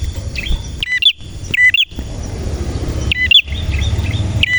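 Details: Actively singing male red prinia: sharp chirped note pairs, the lower note falling, repeated in short bursts with gaps, over a constant thin high tone and a low background rumble.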